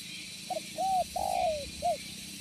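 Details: Spotted dove calling as a lure to draw in other doves: a short note, an arched coo, a long sliding coo and a final short coo, heard against a noisy, rumbling background.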